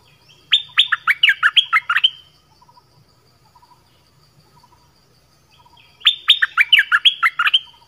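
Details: A Dok Taeng bird sings many varied phrases: a burst of about ten rapid, bright, slurred notes lasting over a second, a pause of nearly four seconds, then another similar burst.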